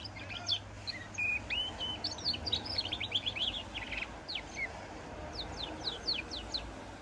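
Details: Song of a goldfinch and canary cross: rapid tinkling twitters and short trills, later giving way to a series of separate sharp descending chirps, with a low hum underneath.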